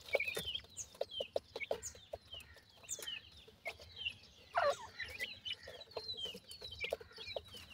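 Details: Grey francolin chicks during feeding: scattered thin, downslurred peeps at irregular intervals, with faint clicks and tapping between them.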